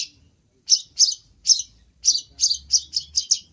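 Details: Long-tailed shrike singing a cendet masteran in full-isian gacor style: after a brief pause, a fast run of scratchy, high chattering notes quickening toward the end, with soft low hum beneath.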